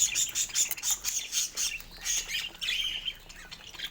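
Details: Morning chatter of pet budgies at play with toys: rapid high buzzy chirps pulsing in regular bursts, then a lower wavering warble near the end.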